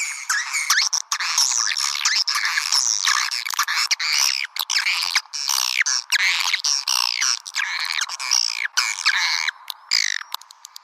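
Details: Lure call used to attract swiftlets: continuous chattering of many harsh, buzzy twitters with sweeping up-and-down notes, rapid and overlapping, broken by brief clicking pauses throughout.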